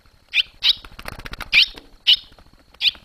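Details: Barn swallows fledging, the young having first left the nest on 19 July 2023. Clipped high chirps in quick pairs and singles, with a brief patch of rustling noise between them.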